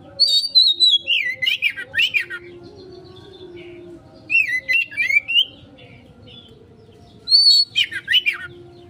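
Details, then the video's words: Oriental magpie-robin lure song in 'konslet' style: three separate bursts of high whistles sliding downward into choppy, quickly repeated notes, with quiet gaps and a low steady background hum. "Pancingan Burung Kacer konslet,respon cepat...!"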